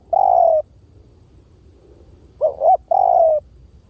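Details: A spotted dove's decoy-style call, heard crisply: one long, gently descending coo, a pause, then two short upswept notes leading into another drawn-out coo.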